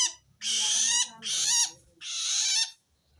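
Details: Calling long-tailed shrike answering wild birds, the sound said to mean it feels threatened by other shrikes; three loud, rough screeches, each under a second, given back to back.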